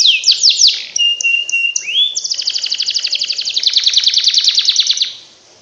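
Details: Canary singing, used to prompt lazy canaries into song: a few falling whistled slurs and a held whistle, then a long rapid rattling trill lasting about three seconds.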